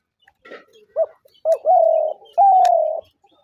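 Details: Spotted dove calling, a sound used as a trap lure: a soft low murmur, then a short hoot and two drawn-out level coos, the final one pitched a little higher and easing down.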